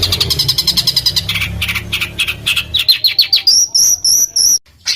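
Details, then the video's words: Rough rolling bird song for training contest fighter birds: quick chattering notes with a low hum beneath, then rising whistled slurs and clear sharp repeated whistles near the end. "ROLL RAPAT KASARAN || TEMBAKAN Kasar Untuk BURUNG FIGHTER"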